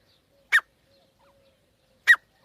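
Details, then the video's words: Two short, sharp partridge notes about one and a half seconds apart, clipped and piercing, from a calling pair in a quiet setting. "joddi teetar avaaz"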